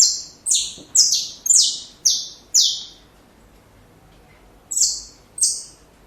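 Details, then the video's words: A saffron finch sings for young birds to learn: six quick, bright descending notes, some doubled, then a pause and two more spaced strokes, against quiet background hiss. "Canário da Terra Canto Perfeito Para filhotes"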